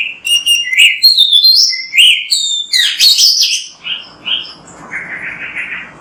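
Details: An Oriental magpie-robin sings vigorously on a recording meant to spur other magpie-robins into song. Dense bursts of sharp chirps and high whistles give way to softer, slurred warbles toward the end.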